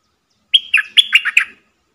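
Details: Single brisk phrase from a decoy bulbul meant to draw wild birds into combat: about six bright, slurred chirps in roughly one second, ringing and musical, against a silent background.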